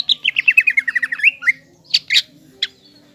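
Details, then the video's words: Green leafbird in full song, used to provoke a speckled young leafbird into an aggressive, fighting mood: a rapid run of about a dozen sharp descending whistled notes over a second and a half, then a few scattered high chips. "CUCAK IJO GACOR MEMANCING CUCAK IJO TROTOL AGAR EMOSI DAN PANAS"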